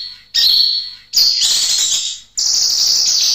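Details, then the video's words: Kinoy, a leafbird, in a singing recording used to tutor and prompt other birds to sing: dense, bright high-pitched chattering bursts with buzzy whistles, separated by short silences. "MASTERAN & PANCINGAN BURUNG KINOY GACOR SUARA JERNIH"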